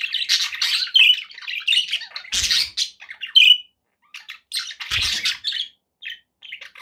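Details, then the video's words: Budgerigars kept as pets chatter in rapid scratchy warbles and squeaks, broken by two sharp clattering knocks and a short lull near the end before the chirping resumes. "9 hours of budgie sounds"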